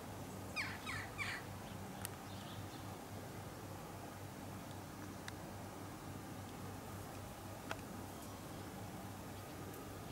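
An Orinoco goose gives two or three harsh, raspy honks in quick succession near the start. After that, only a steady low hum and a few faint clicks are heard.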